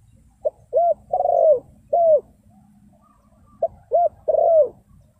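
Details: Spotted dove call used to draw in wild birds, given as two phrases about three seconds apart, each a short note, a clipped coo, then a long burring coo, the first phrase ending with an extra falling coo.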